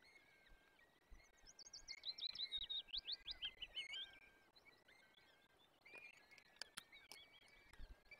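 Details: Peregrine falcon chicks being fed at a forest nest in the Barycz Valley, Poland, 17 April 2024: a rapid run of thin, high, sharply modulated chirps, followed by scattered shorter squeaks and a few clicks over faint background hiss.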